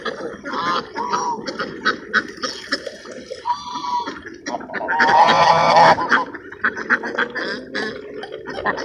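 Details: Ducks being fed at sunset in a park, giving irregular nasal quacks and honks, with a louder harsh burst of calling midway, over a quieter background.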